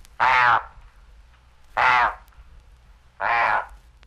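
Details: Razorbill (Razor-billed Auk, Alca torda), from a 1961 audio field guide to eastern and central North American birds, gives three deep, grating, drawn-out croaking growls about every one and a half seconds, with nothing else heard.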